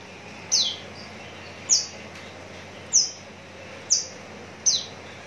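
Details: Contest-ready Javan bush lark from Cikupa, Tangerang, Indonesia, giving five sharp, very high, thin notes spaced roughly one second apart over a steady low background hiss.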